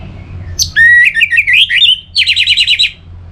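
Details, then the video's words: Orange-headed thrush song played to encourage singing: a loud, varied phrase of slurred whistles and warbles, ending in a rapid trill of about eight evenly repeated notes. "Pemancing Burung ANIS MERAH Agar Selalu Gacor"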